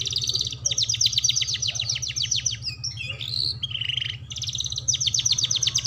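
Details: Canary singing as a tutor for young canaries learning to sing: long runs of rapid, evenly spaced high notes, a brief warbled and lower buzzy section, then more fast chipping, over a constant low electrical hum.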